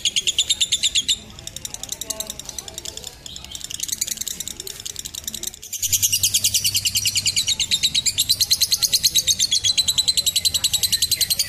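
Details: Lovebird ngekek trill, played to train young lovebirds. Fast high chattering starts loudly, weakens into a quieter, broken patch midway, then returns strong and continuous to the end.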